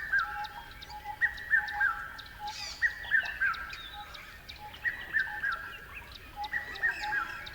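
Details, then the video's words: Bird chirping in groups of three quick, slightly falling notes, each group about a second and a half apart, over a steady low hum with faint high ticking in the background. "Beautiful Birds Chirping Sounds."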